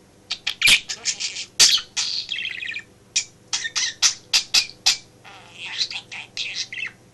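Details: Pet male budgerigar chattering indoors in a home office beside its owner at work; rapid strings of clicks, chirps and buzzy warbles with brief gaps, steady low hum.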